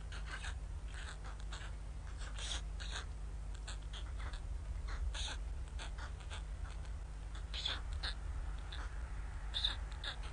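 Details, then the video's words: Hungry white stork chicks begging at Ustroń, Poland, mid-May 2019, their mother gone since early morning and bad weather; short hoarse mewing bursts repeat irregularly over a steady low rumble of background noise. "gdzie jesteś mamusiu... Bocian biały"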